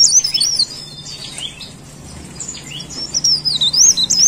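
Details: Leaf warbler, called blereng or cikrak daun, in full lively song: high thin wavering warbled phrases, two bursts separated by a quiet pause, with a faint low hum underneath.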